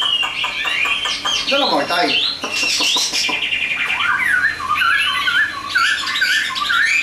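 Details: Chinese hwamei kept in a cage for sale, delivering a varied, loud song of swooping whistles, quick slurred notes and harsher squawky bursts, with steady rapid clicking in the background.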